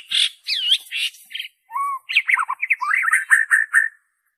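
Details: Original white-rumped shama song without mimicry, used to prompt captive birds: harsh buzzy notes open, then a low clear whistle and a varied sequence of rapid warbled and chattering phrases.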